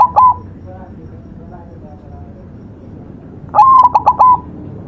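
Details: White zebra dove in tutor-recording song: the tail of one cooing phrase opens the recording, then a full phrase follows after a pause, starting with a drawn-out coo and breaking into rapid clipped notes, against quiet low background noise.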